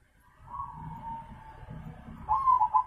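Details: Zebra dove singing energetically: a soft, drawn-out mellow coo rising from quiet, then a louder bubbling, rapidly trilled run of cooing notes toward the end, with faint low background rumble.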